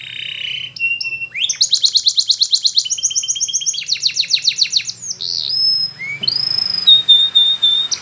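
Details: Spanish Timbrado canary singing to train other canaries, rapid metallic rolling trills in long runs, shifting pitch, then rising whistled slides and a sustained high note, over a low hum.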